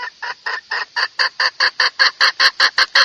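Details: Hen calling to a rooster, used as a lure call: a loud, regular series of about fifteen harsh clucking notes, each short and broadband, repeated roughly every fifth of a second with a slight rise in strength.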